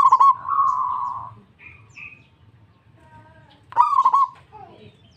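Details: Local zebra dove responding at once: a rolling coo drawn out into a long steady hum, two thin higher whistles, then a second stuttered, pulsed coo.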